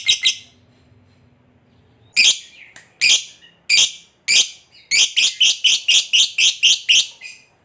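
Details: Lovebird in long trilling song meant to prompt other lovebirds to sing: a few spaced harsh, buzzy bursts, then a rapid run of pulsed, rasping notes.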